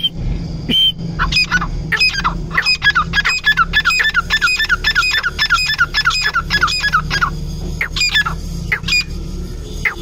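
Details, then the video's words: Long grey francolin calling bout: a fast, steady series of sharp ringing notes for about six seconds, trailing off into a few spaced calls over low rumble. "Titar ki awaz"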